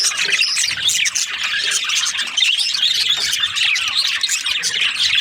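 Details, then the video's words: Budgerigars chirping during breeding season: a lively, unbroken mix of high warbling chatter, sharp chirps and soft squawks from a crowd of birds. "Lovely budgies chirping sound parakeets breeding season"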